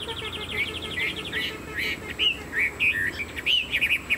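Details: Chinese hwamei with a fanned tail and tall build, a kept songbird, giving quick repeated trilled notes that shift into varied looping whistles, lively and unbroken.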